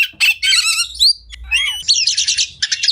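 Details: Short burst of Oriental magpie-robin (kacer) tutor song: harsh chattering trills, a bright upward whistle, a slurred dipping phrase and fast rasping rattles.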